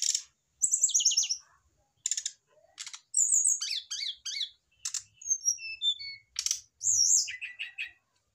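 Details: Mature caged male brown-chested jungle flycatcher excited by an adjacent female: nearly continuous lively phrases of high chirps, buzzy rattles and warbled slurs, including a short run of descending whistles.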